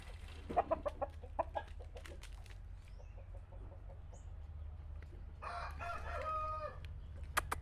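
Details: Chicken, with a rooster crowing: a drawn-out harmonic call of about one and a half seconds near the end, after a run of short, sharp clucks and clicks over a steady low hum.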